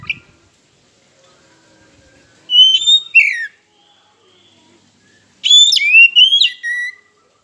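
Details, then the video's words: Lure song of the oriental magpie-robin (kacer), used to provoke silent rivals: two separate bursts of loud whistled phrases with quick rising and falling slurs, divided by about two seconds of near quiet. "Pancingan KACER Macet Bunyi, Sekali Dengar Langsung Emosi!"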